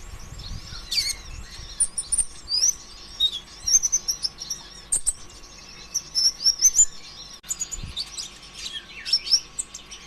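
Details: Lure song of a sunbird, the greenish kolibri ninja form, in an energetic, non-stop style meant to stir other sunbirds into song: dense run of high, thin twittering notes and sharp chips, rapid and continuous, with a few low thumps.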